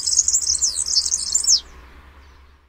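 A European serin's song: a very high, rapid, jangling stream of buzzy, glassy notes lasting about a second and a half, then a soft background hum.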